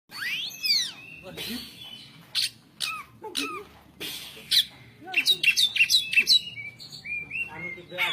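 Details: Newly wild-caught Oriental magpie-robin singing its pletik style: sweeping whistles and sharp chipping notes, then a quick run of about six crisp, clicking 'pletik' notes mid-phrase before softer warbles return.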